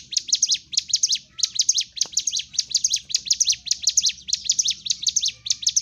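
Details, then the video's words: Sunda warbler's fighting-style song, meant to provoke other birds: bursts of quick, high zigzag chirps in an unbroken rhythm, about two bursts each second, with a single click midway. "CIGUN / CIBLEK GUNUNG GACOR TARUNG"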